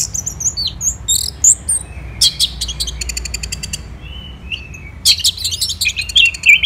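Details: Orange-headed thrush from Bali singing in the morning, bursts of thin, very high whistles and dry rattling trills separated by short pauses, then a renewed tumbling run of squeaky slurred notes over a soft low hum.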